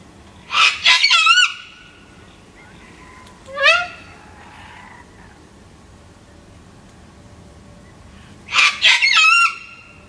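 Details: A regular wild sulphur-crested cockatoo visitor at a garden bird feeder in Black Hill, NSW, Australia, apparently unhappy (possibly over the lack of seed) gives harsh, raucous screeches in two loud bursts about eight seconds apart, with a shorter rasping squawk between.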